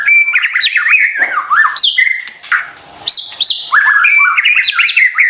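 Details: White-rumped shama song played to provoke sluggish birds into responding: loud varied whistled phrases, repeated rising-falling notes and high sharp chirps, continuous with one short dip.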